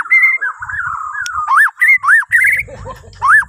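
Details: Borneo white-rumped shama singing to prompt other birds in the morning: loud, rich whistled notes, several arching up and down in separated phrases, with soft low rumbling beneath.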